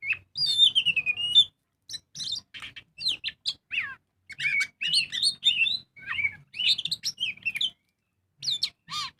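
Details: Singing magpie-robin (kacer) used as a lure to make birds sing: bursts of twisting whistles and sharp chirps in quick varied phrases, separated by brief gaps.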